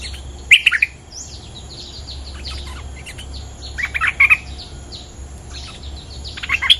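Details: Resident bulbul reacting to a lure call: three separate bursts of quick, bright chirping notes a few seconds apart, with faint thin calls of other birds between them.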